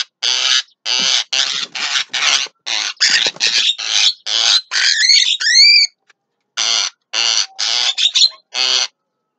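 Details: Javan myna singing at midday: a run of harsh, grating notes, about two or three a second, broken by a few clear whistles that swoop upward.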